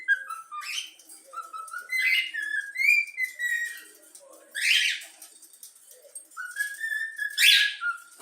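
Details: Young yellow-cheeked cockatiel whistling a learned tune, the Flamengo anthem: clear whistled notes stepping up and down in short phrases, broken by harsh, noisy bursts and chirps.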